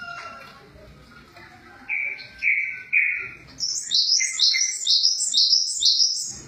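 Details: Java sparrow giving three clear mid-pitched piping notes, then breaking into a fast series of high, bright, zigzagging chirps that run to the end.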